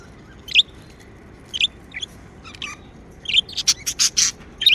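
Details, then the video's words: Happy pet budgerigars give sparse chirps that build into a quick run of loud, harsh squawky notes toward the end. "Happy Budgie Sounds | Chirping sounds | parakeets sound | budgie sounds"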